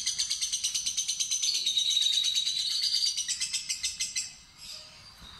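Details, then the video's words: Lovebird of fighter type giving a long ngekek-ngetik trill: a fast, high chattering run of buzzy notes pulsing about three times per second, with a faint squeaky tail fading at the end. "Lovebird Fighter Ngetik Ngekek Terpanjang"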